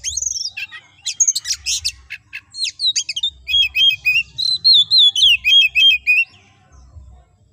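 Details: Oriental magpie-robin singing vigorously in the ngobra style, used as a master song for training other magpie-robins: sharp high whistles and chips, then a rapid run of clear repeated whistled notes, slightly descending, over faint low hum.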